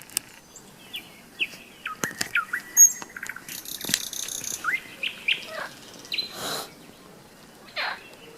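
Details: Nightingale singing on a May day in thunderstorm season, recorded at a rest stop on a hike along the Seversky Donets; varied clear whistles and short slurred notes, some rising, others falling, with sharp clicks between phrases.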